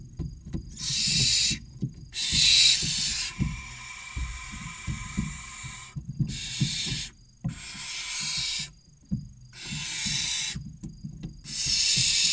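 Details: Nest box interior, Cabañeros National Park, Spain, where six barn owl chicks aged 16 to 29 days wait for dinner: overlapping rasping hiss-screeches from several young, one sustained longer, amid frequent knocking and scuffling of movement.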